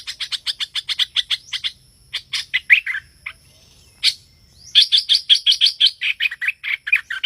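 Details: Streak-eared bulbul lure call for bird trapping: quick runs of staccato high chips broken by a short gap, then a lively burst of rapid repeated notes.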